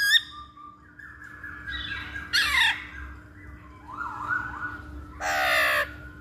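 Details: Masked laughingthrush lure recording with harsh squawking bursts, a slurred falling note, wavering mid-pitched chatter and a loud raspy squawk near the end, set against a steady low hum.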